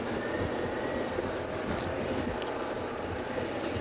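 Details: Continuous vehicle drone with even hiss across all pitches in the Sabi Sand reserve at sunset, May 2016, and no calls from animals.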